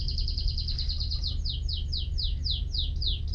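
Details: Canary song: a rapid trill of high notes that slows into a series of downward-sweeping whistles, about four per second, with a steady low hum beneath.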